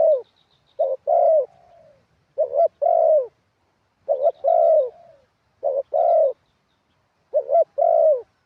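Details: Spotted dove kept for ground decoying, cooing in the sweet wild-style delivery: six evenly spaced phrases, each a clipped double note and then a longer rounded coo sliding slightly downward.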